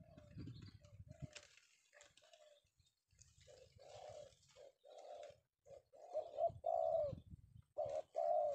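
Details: Male spotted dove (tekukur, penguku type) from Indonesia, taken in the afternoon; low rumbling handling noise first, then hollow coos build up, growing louder toward the end.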